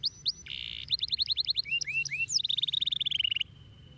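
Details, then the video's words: Canary delivering a lively song of quick whistled slurs, buzzy notes and a long rapid trill that ends abruptly, high-pitched and energetic over a quiet low background. "أي كناري يجب أن يسمع صوت هذا الكناري"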